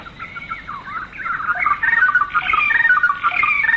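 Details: Malaysian rainforest recording from circa the late 1950s of a greater racket-tailed drongo: rapid, varied melodious whistles and ringing bell-like notes, building in loudness after the first second.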